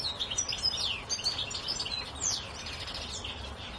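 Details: European goldfinch singing in a tree, a rapid, tinkling jumble of high twitters and liquid trills, with steady background hiss throughout.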